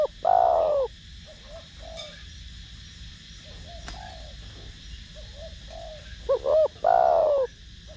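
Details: Spotted dove with the 'thổ đồng' voice, cooing to stimulate decoy doves. A long falling coo opens, soft muted coos and a click follow, then a second loud phrase of paired notes and a descending coo.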